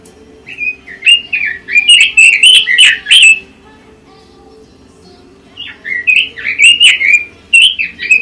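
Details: Pekin robin pouring out fast, jumbled warbled phrases of bright slurred notes, pausing for about two seconds, then resuming, with a constant low humming background underneath.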